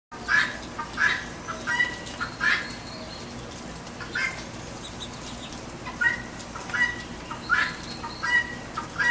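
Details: Guinea hen squawking at a backyard feeder in the rain: harsh, grating bursts repeated irregularly about once a second, with brief clean notes near the same pitch and a steady hiss of rain underneath.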